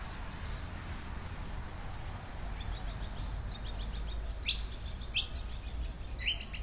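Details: Australian magpie nest with chicks in a tree beside a house in Melbourne's south-eastern suburbs, Victoria, recorded by a security camera: faint high thin chirps, then three sharper rising notes about every 0.7 seconds over steady low rumble.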